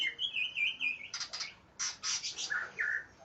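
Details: Fired-up greater green leafbird, aggressive and looking for a rival: a quick warbled run of high whistles gives way to loud raspy, buzzy chatter bursts, ending with two clear downslurred whistles.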